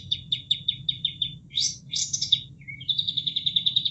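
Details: Bulbul (kapas tembak) song used as tutor material for caged songbirds: a string of evenly spaced sharp chirps, two harsh bursts, a low slurred whistle, then a fast trill, all over steady running-water noise.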